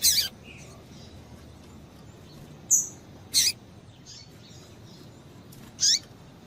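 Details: Calling female double-collared seedeater heating up males: four sparse, sharp high chirps separated by long pauses, one thin steady whistle, and soft background hiss.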